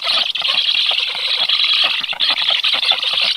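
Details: Black stork chicks on the nest, 13 July, reflexively chirp and prepare to be fed as an unknown black stork moves near the nest (no feeding follows): a steady, high, wheezy hissing chorus broken by rapid rasping pulses with barely a pause.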